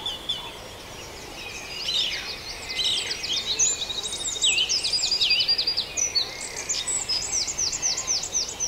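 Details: Dawn chorus recorded at Farndale, starting quietly and building into layered high-pitched song, with rapid trills and repeated downslurred chirps from several birds overlapping to the end.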